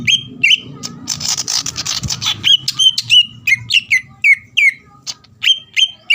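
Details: Greater green leafbird song for provoking a rival: a burst of noisy chatter and rumble at the start, then clear repeated falling whistles spaced about a third of a second apart.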